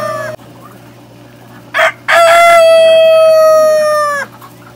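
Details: A farm cockerel ends one crow, pauses, then delivers a short gruff note and a long steady, gently descending crow of about two seconds; low mechanical hum underneath.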